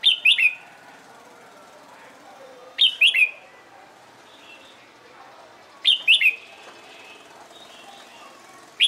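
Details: Red-whiskered bulbul in training for competition singing, giving short bright whistled phrases of two or three quick notes, repeated about every three seconds, with faint chirps from other birds between phrases.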